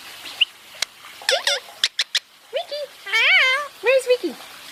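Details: Pet Indian ringneck parakeet talking while basking: bright, harmonic speech-like phrases with rising and falling contours, a few sharp clicks, and one wavering squawk-like note. A person's voice coaxes the bird nearby.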